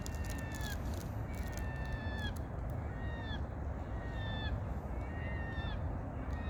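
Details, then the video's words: A water bird gives short, nasal, honking calls, repeated roughly every second, over a steady low rumble of wind or water. "물새소리~^^ water bird sound."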